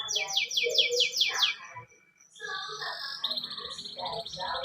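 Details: Canary singing, offered to encourage a pet canary: quick chain of descending buzzy sweeps, a pause, then a sustained high trill over soft lower chatter.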